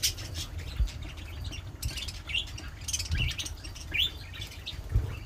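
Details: Pet budgerigar giving a few short, faint rising chirps spaced about a second apart, with soft rustling and low room rumble underneath.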